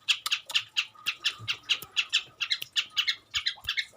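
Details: Long-tailed shrike (cendet) singing actively, its song filled with imitations of garden birds: a fast run of harsh, scratchy chirps, about four a second, with a faint steady hum and a few low knocks behind.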